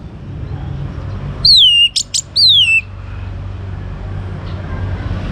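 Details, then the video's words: A young orange-headed thrush, used to encourage other birds to sing, gives two loud, clear, down-slurred whistles separated by brief sharp clicks, then falls silent against a low background rumble. "ANIS MERAH Muda Gacor Untuk Pemancing Burung Berani Berkicau"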